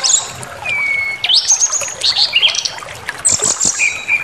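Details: White-rumped shama song for provoking emotion and aggression: a long falling whistle, then rising sweeps and warbled phrases, ending in high chattering notes and a steady whistled tone.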